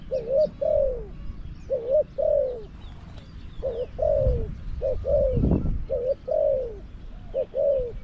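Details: Spotted dove used as a caged decoy to draw in wild birds at Song Phi Nong. Paired coos repeat steadily, a short note followed by a longer falling one, several times in a row. There is a low background hum.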